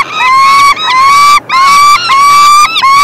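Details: Young peregrine falcons calling as the male brings food, 3 June 2024. Raspy drawn-out screams with a slight rise at the start follow one another with only short gaps, about five calls in three seconds.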